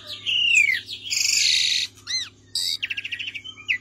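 A Javan pied starling sings a varied medley: a falling whistled slur, a harsh rasping burst, short looping notes, then rapid chattering pulses, over a faint steady low hum.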